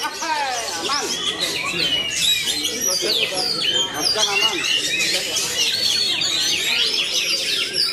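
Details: Kacer matador, a magpie-robin kept for song performance, delivers fast varied phrases of warbled, swooping whistles and chattering notes without pause, with other birds chirping behind it.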